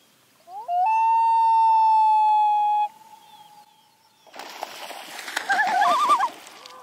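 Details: Loon on a local pond in May: a pure, sustained wailing note that slides up and then holds steady for about two seconds before fading. Later comes a rapid quavering tremolo mixed with noisy background sounds.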